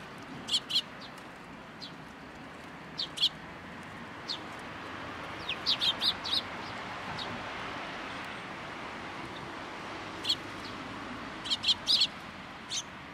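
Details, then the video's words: At a Tenmangu shrine in the early morning, sparrows gather for food; short bursts of sharp chirps come in small clusters separated by quiet gaps, over faint background noise. "朝一番 餌を貰いに来る雀達"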